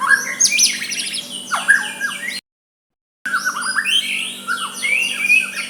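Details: White-rumped shama giving a soft song meant to provoke a rival into replying: fast varied whistles, sweeping up and down in rich warbled phrases, broken by a short silent gap near the middle.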